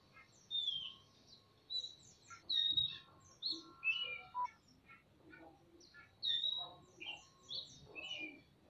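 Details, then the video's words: Oriental magpie-robins, male and female, duetting in a semi-natural aviary: varied sweet whistles and slurred notes in loose phrases every second or so, with softer lower chatter between. "Burung kacer gacor saut sautan di kandang aviary semi alam (ngobra)"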